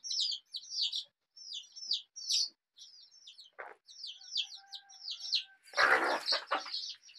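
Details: Rainbow-coloured Desi chicks cheep in high, descending peeps in short bursts with brief gaps, then a loud rustling, scraping burst and a faint tonal whine cover the last seconds.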